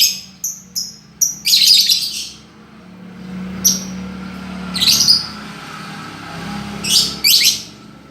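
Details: Lovebird singing as a master recording for a bird that has stopped singing: short high chirps, then dense buzzy chattering bursts, repeated at irregular intervals over a faint low hum.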